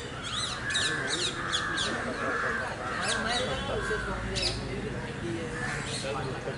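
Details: Indian grey hornbill at Malabar Hill, Mumbai, 20 March 2018, nesting season with the female sealed in the nest cavity and fed by the male, gives squealing, kite-like notes in quick runs, roughly twice a second, over busy city noise, other birds faintly behind.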